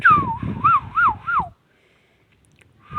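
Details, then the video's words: Talking Indian ringneck parrot whistles a wavy, warbling phrase of four rising-and-falling loops over a low rumbling background, then goes quiet before a final whistle starts. "amazing ringneck talking Indian parrot"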